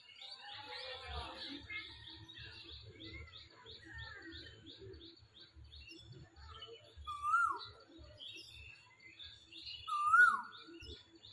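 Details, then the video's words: Springtime Asian koel perched in a tree, giving two rising-then-falling whistled notes about three seconds apart near the end, after a busy chorus of chattering birds with low rumbling background noise. "বসন্তের কোকিল পাখি গাছে বসে ডাকাডাকি"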